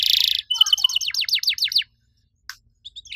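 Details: Active riwik-style canary, its cuit cuit song meant to spur other canaries to sing. A buzzy burst, then a rapid series of high hooked downward chirps, then quiet with a couple of faint notes.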